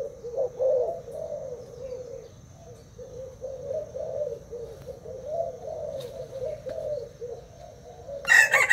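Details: Thai-type spotted dove kept in a cage for two days, cooing against a decoy: soft low coos, louder at first, then quieter runs of rolling notes, with a brief sharp clatter at the end.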